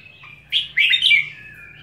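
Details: Red-whiskered bulbul gives a brief, loud, lively phrase of three quick whistled bursts, then a softer trailing whistle, against near silence.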